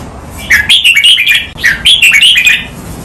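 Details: A training recording of a red-whiskered bulbul in the double counted-note master pattern with trailing, drawn-out notes. Two rich, warbling whistled phrases follow each other, each rising and falling, over a low steady hum.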